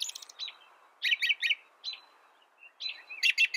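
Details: American robin giving short whistled phrases in small bursts with longer silent gaps, over a faint background hiss.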